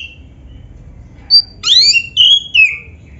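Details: Black-breasted oriental magpie-robin (kacer), a song to trigger singing in other magpie-robins: a brief whistle, then a loud burst of sweeping slurred notes followed by two clear falling whistles; faint low hum.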